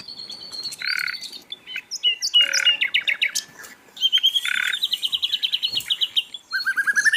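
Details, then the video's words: Busy Asian brown flycatcher song for tutoring songbirds: short whistles and harsh buzzy bursts alternate with fast trills of high, evenly spaced notes, ending on a rising trilled run. "MASTERAN BURUNG SIKATAN LONDO GACOR"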